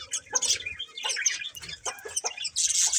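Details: Breeding pair of budgerigars chattering softly: a quick run of scratchy chirps and short warbled notes, irregular and overlapping, ending in a harsher burst.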